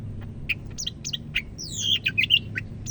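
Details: Medan-type greater green leafbird from North Sumatra in full song: a lively run of varied sharp chirps and long slurred descending whistles, quick and bright, with a low background hum throughout.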